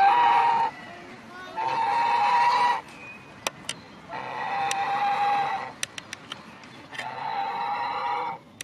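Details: A swan goose calling at Luisenpark, Mannheim, gives four loud, drawn-out nasal honks, each over a second long and spaced a few seconds apart, with faint clicks in between.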